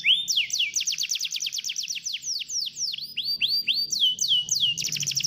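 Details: Canary song used as a lure to stimulate a lazy canary into singing: rapid high trills of downward-sweeping notes, then slower looping whistled slurs, ending in a fast buzzy trill.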